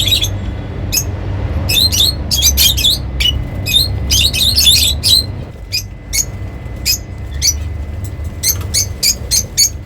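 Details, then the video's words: Happy lovebirds making rapid, irregular bursts of sharp, high squawking chirps, dense in the first half, then sparser clicks and chirps after a short lull, over a low steady background hum. "Happy lovebirds making sounds || Lovebird sounds to attract birds"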